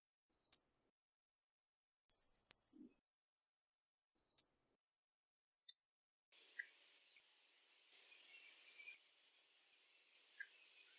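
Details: Hawfinch uttering very high, clipped tick calls and one short stuttering rattle of rapid notes, followed by thin drawn notes; scattered at irregular intervals over near silence.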